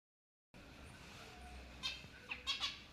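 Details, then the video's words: A lovebird gives a few sharp, high chirps and squeaks in quick bursts near the end, over a steady low room hiss. "Love birds sounds & Chirping"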